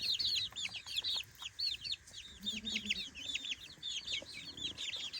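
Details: Chicks three weeks old, exploring a new daytime playpen, peeping loudly in tight overlapping chirps, with a brief low hum in the background partway through.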